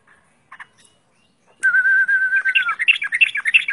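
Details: Yellow-vented bulbul: a few soft notes, then a loud steady whistle held for over a second, falling at the end into quick bubbly chattering phrases.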